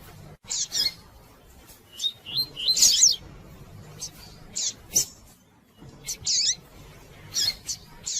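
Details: Female double-collared seedeater calling repeatedly to stimulate males to sing, giving short, sharp, high chirps and buzzy trills in scattered bursts with brief pauses between them.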